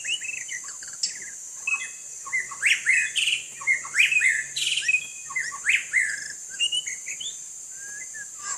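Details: A white-rumped shama sings while bathing in rain: bursts of rising and falling whistles and sharp chirps in irregular phrases, with a continuous hiss of falling rain.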